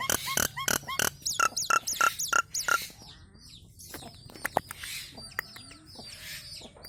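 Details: Nias hill myna, recorded for training caged birds, delivers rapid sharp clicks interleaved with a repeated clear whistle, then drops to softer, scattered notes.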